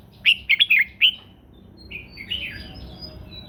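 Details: Red-whiskered bulbul sings in the morning, training its voice and urging other birds to sing: four quick, loud, gurgling whistled notes, then softer rising warbles trailing off.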